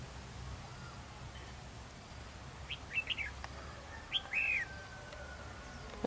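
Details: Red-whiskered bulbul calling at a decoy trap during a territorial fight: a quick cluster of sharp whistled chirps followed by a single sliding whistle, against faint rural background noise.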